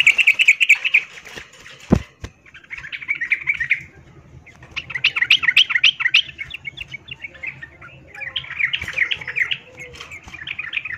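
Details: Female yellow-vented bulbul calling the male, in breeding condition. Long rapid chattering trills in repeated bursts, broken near the start by a heavy thud and wing-like flutter, over a faint low hum.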